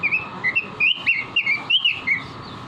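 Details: Caged robin singing strongly, recorded for training other songbirds: dense, fluting whistles in rapid succession, each note slurred and bouncing up and down in pitch, forming a lively, unbroken phrase over low background hum.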